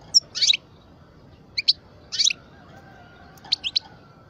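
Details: Parva European goldfinch, aged twelve and kept as a pet, uttering a few bursts of high, tinkling chirps in small clusters separated by pauses, background otherwise calm.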